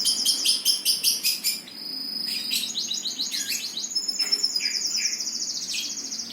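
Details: Bird song: it opens with fast, evenly spaced high rattling notes, then breaks into quick high twitters and sweeping notes, ending in a long rapid trill.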